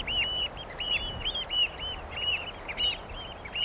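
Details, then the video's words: Eurasian oystercatchers (Haematopus ostralegus) give loud, shrill, arched 'kleep' notes, repeated quickly, several a second, in an overlapping excited piping chorus over a soft background hiss. "The song of the Eurasian Oystercatcher"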